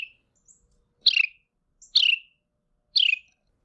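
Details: Male Carolina Wren cheer calls, made only by males, used in mobbing or in song encounters with other males, sometimes before roosting: three loud downslurred notes, each dropping sharply, about one per second, with a few faint high ticks between.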